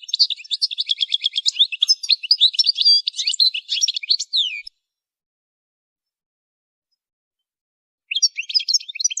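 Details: Goldfinch song played for song training: a fast, dense, tinkling twitter of high chirps and trills for about four seconds, a pause of over three seconds, then the bright twittering resumes.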